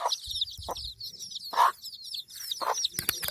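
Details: Hen accompanied by chicks in a village, uttering a few louder, drawn-out clucks between gaps, while thin high chick peeps continue and a clattering noise ends the clip.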